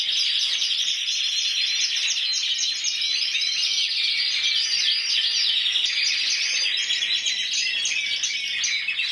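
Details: Intense yellow canary, Spanish individual champion 2014 with 94 points at Antequera, singing a long unbroken song of rapid repeated trills, about four notes per second in places, high and bright.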